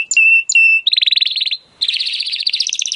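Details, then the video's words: Timbrado canary song used as training audio: two pure whistled notes with a sharp upper onset, then a fast buzzy trill, a brief pause, and a higher rapid rolling trill. "AUDIO mas PODEROSO de TIMBRADO para el ENTRENAMIENTO"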